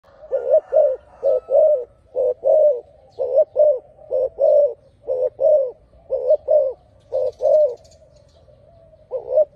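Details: Spotted dove singing a steady run of low, hollow coos grouped mostly in twos and threes, phrases repeating about once a second, with soft purring between notes and a faint low rumble behind.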